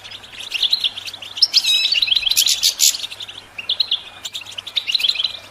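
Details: Goldfinch twittering for songbird stimulation, a steady chatter of high chirps broken by a harsh, buzzy burst in the middle.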